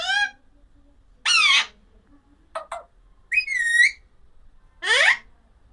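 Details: Alexandrine parakeet calling in an irregular series: five loud, harsh squawks, some rising and some falling, with two short clipped notes between them. Each call lasts under half a second, with quiet gaps between.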